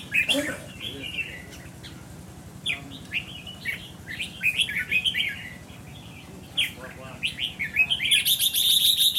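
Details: Red-whiskered bulbul tested for temperament, singing a run of quick, bright whistled and chattering notes, rapidly repeated, growing denser and louder toward the end, with low background murmur.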